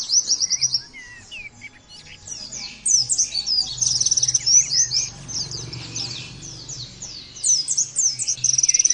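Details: Oriental white-eye song meant as therapy to get birds singing. Quick bursts of high chirps are followed by softer twitters, then dense buzzy trills and slurred whistles returning strongly toward the end.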